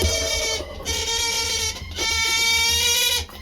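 Steady stacked tones and hum, like an instrument or machine indoors, with no animal voice.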